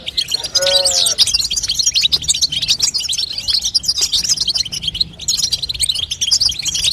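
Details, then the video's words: Female European goldfinch call used to encourage a young goldfinch to sing: busy high-pitched twittering and chips throughout, with a short lower harmonic squeal near the first second and a brief lull before the end. "بتبته لتقويه فرخ الحسون تخلي يغرد غصب عنو"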